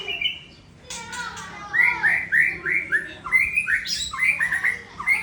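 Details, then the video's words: White-rumped shama of the Aceh type, said to originate from Sabang, delivering a fast string of clear, rising whistled notes, some upswept and ringing, run together after a brief opening phrase. "Murai Aceh Balak Ori Sabang"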